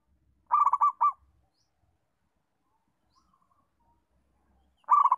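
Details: Perkutut, a local zebra dove, singing to train other doves. One full phrase of quick, bubbling coos ending with a separate drawn-out note, then silence, and a second phrase beginning at the very end.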